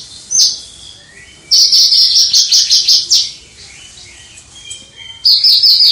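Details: Javan bush lark kept as a songbird, singing in the crystal-voiced style from some distance; one short high note, then a burst of rapid shrill trilled pulses, a quieter lower warble, and another trill.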